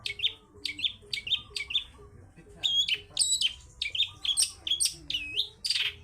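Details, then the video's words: Long-tailed shrike singing ngalas style: evenly spaced high chirps in a row, then denser mixed chatter and a harsh rasp at the end. "CENDET GACOR suara ngalas"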